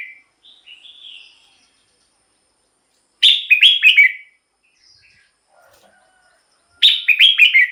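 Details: Red-whiskered bulbul singing, meant to excite birds or lure wild ones. Soft whistled notes open, then two loud rollicking phrases about three and a half seconds apart, with faint notes between.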